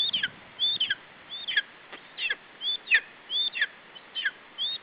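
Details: Lesser spotted eagle chick at a nest in Estonia, 21 July 2012, late afternoon, defending its food against a parent. High squealing notes slide downward, repeated roughly every half second in an uneven series.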